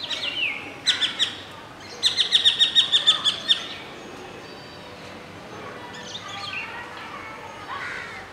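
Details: Adult male Indian golden oriole in song, Masab Tank, Hyderabad, recorded from a window with a juvenile and two females present; a short whistle, then a quick run of about nine sharp repeated notes, followed by quieter scattered calls.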